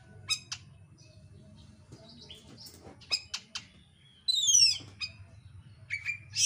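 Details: Oriental magpie-robin (kacer) singing a dense, insistent lure song used to provoke a bird to sing; sharp clicks and chirps, then a loud buzzy descending rattle and bright whistled notes, over low background hum.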